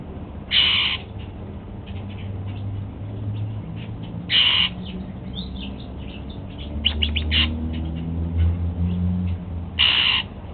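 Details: Pet Golden-fronted Leafbird eating apple for breakfast, giving three loud, harsh, bright calls spaced several seconds apart, with soft quick chirps between them over a low background hum.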